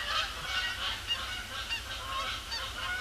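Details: Canada Geese honking as they circle in to land on Sapsucker Woods Pond after sunset, heavy cloud cover, October 2017; a steady stream of overlapping nasal honks from several birds, loud throughout.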